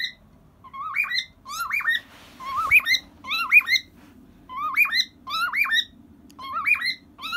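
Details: A 23-year-old pet cockatiel sings happily to a soft cockatiel toy: a string of bright, rising whistled phrases, each swooping up and down, over a low household hum.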